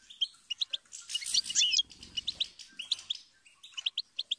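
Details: Goldfinch chirps in spaced high notes, interrupted early by a loud broad rushing burst, then resuming with short repeated tweets.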